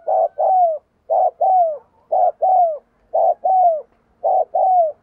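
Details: A spotted dove working as a decoy, cooing "thúc gù" to prompt other birds to call. Five loud paired coos, a short burst then a longer falling note, repeat about once a second.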